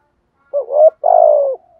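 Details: Single thúc gù phrase from a spotted dove decoy bird: a low, husky note sliding upward, a brief break, then a longer, slightly trembling coo that falls away softly.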